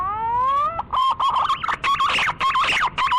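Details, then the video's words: Green pigeon whistling: a steady rising tone gives way to a rapid, warbling string of looping whistled notes at an even pace. "SUARA BURUNG PUNAI"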